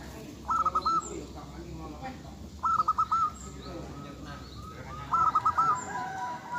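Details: Local zebra dove song: three short trilled, bubbling coo phrases spaced about two seconds apart, with faint murmuring voices and other noise behind.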